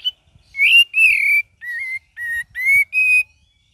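A cream-vented bulbul gives six clear, rich whistled phrases, each under half a second, some rising and slurred, in quick succession.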